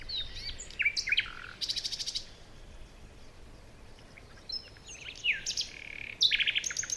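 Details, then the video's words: Several birds chirping on a forest morning: varied high whistles, rapid buzzy rattling series and sharp chirps, busy at start and end with a quieter middle, faint low hum present. "Morning birds chirping sounds"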